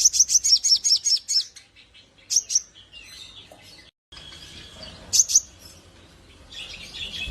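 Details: Javan grey-throated white-eye used as a master song for teaching other birds, delivered in ngleper style: a burst of rapid, high downslurred notes, then quieter irregular chirps, short twitters and a faint hiss.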